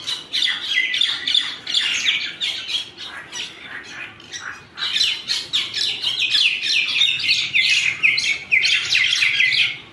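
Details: Birds fighting, filling the air with harsh, overlapping squawks and chattering notes repeated rapidly and continuously, several birds calling at once in loud bursts.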